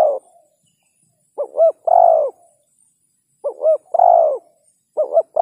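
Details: Spotted dove cooing: each phrase is a quick doubled hooting note followed by a longer, drawn-out mellow coo. The phrase repeats about every two seconds against a quiet background.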